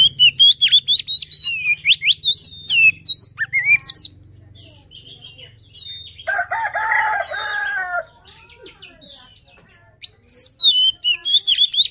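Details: Oriental magpie-robin of the poci form in luring song: rapid bright whistled notes at the start and end, with a lower, harmonic crowing-like call and a steady low hum in the middle.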